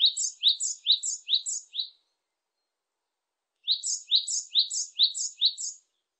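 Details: A great tit (Parus major) in Korea, recorded in 2020, sings two bursts of bright, high two-note phrases, about five quick repeats in each, with a short pause between bursts.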